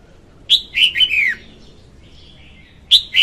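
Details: Female red-whiskered bulbul singing, recording used as a lure for trapping birds, 2021: a quick phrase of bright, slurred whistled notes dropping in pitch, then a pause and a fresh burst of the same notes, quiet background.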